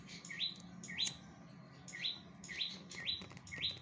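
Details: Bar-winged prinia singing lively, short rising whistled notes, some given as quick pairs, about five phrases in four seconds, with faint low background hum.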